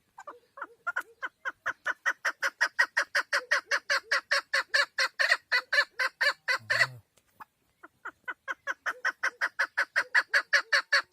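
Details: Female chukar partridge calling in a long, rapid train of clipped chuck notes, roughly two or three per second, loudening through the middle, breaking off briefly with a low thump, then resuming at the same pace.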